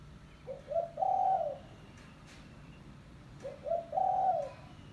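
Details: Spotted dove call used to lure doves: two identical phrases about three seconds apart, short soft coos building into a sustained hollow coo, over a quiet background.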